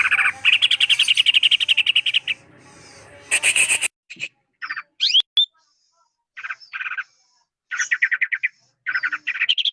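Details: Rapid rattling chatter from a greater green leafbird, a harsh burst, then silence broken by scattered short chirps, upswept whistles and brief trilled phrases.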